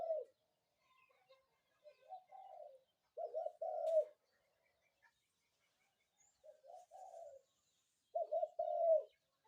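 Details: Spotted dove calling in the morning: a mellow phrase of two short coos and a longer drawn-out coo, repeated several times with quieter softer coos between, in an otherwise quiet setting.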